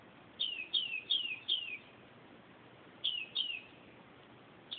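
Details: Northern mockingbird night song at 2:30 am: a quick run of four high, falling whistled notes, a pause of over a second, then two more of the same, with gentle hiss in the background.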